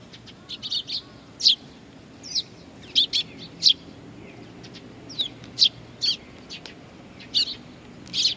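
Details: Chicks at Tenmangu, Nakanoshima, 25 June 2020, waiting for their parents: a busy stream of high, sharp, squeaky chirps, often paired or tripled, coming every second or so, over soft background hum.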